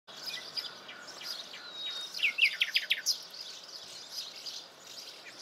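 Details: Common nightingale, out in the open rather than hidden in thicket, gives a thin whistle, then a quick burst of five or six sharp, rising notes, over a steady hiss of distant birds and insects.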